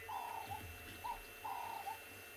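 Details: Ring-necked doves call in the background at sunrise on a cold (~16°C) mountain morning, 18 September 2020: soft, mellow coos, a drawn-out note then a short clipped one, repeating about every 1.5 seconds over a faint hum.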